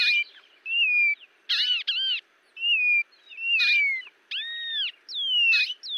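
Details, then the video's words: Singing birds of the Brazilian Cerrado: long gliding whistles, some sliding down, mixed with arched looping notes and short harsh bursts, several voices alternating. "CANTO de AVES do CERRADO BRASILEIRO"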